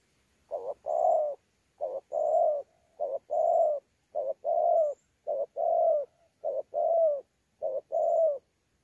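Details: Spotted dove, wild-caught, delivering contest cooing mixed with gù, Sa Thầy, 26 November 2019: about seven pairs of low hollow coos, each a clipped note then a longer warbling one, evenly paced, no other sounds.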